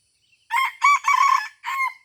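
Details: Junglefowl crowing during a luring session at Taman Rusa, Aceh, Indonesia: a harsh four-part crow, two short clipped notes, a longer rasping middle phrase, then a separate final note, in a quiet setting.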